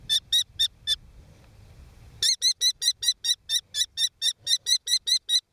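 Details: One of a brood of five young kestrels handled for ringing at Argaty in 2013 gives sharp, high, harmonic 'kee' notes: four spaced calls, a pause with faint rustling, then a fast run of about four calls a second.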